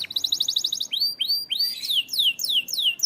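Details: Canary for training: a short rapid trill, then a run of loud arched whistles and quick descending slurs, each note sweeping downward in pitch.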